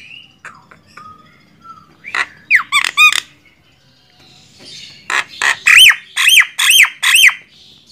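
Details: Javan myna (jalak kebo) song for songbird training: soft whistles and chatter, a few harsh squawks, then a loud series of repeated arched squealing notes.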